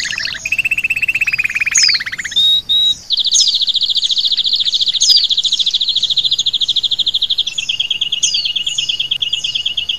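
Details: High, rapid trilling from an Oriental white-eye in a training recording for songbirds, opening with a lower rattling trill, then long stretches of fast, even, high buzzy notes with sharp chips laid over them.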